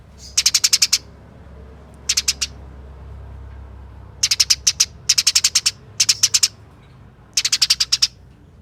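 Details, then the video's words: Rapid, tight chattering of a Eurasian tree sparrow in fighting mode, played to provoke other sparrows into sound: six short volleys of four to seven harsh chips, separated by quiet gaps. "Pancingan Gereja Tarung Nyerecet Speed Rapat Bikin Gereja Lain Ikut Bunyi Gacor"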